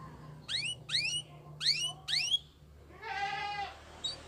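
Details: Belgian canary song: four quick high sweeping notes with overtones, a short gap, then a lower buzzy harmonic trill lasting about a second, ending with a faint high note over a soft low hum.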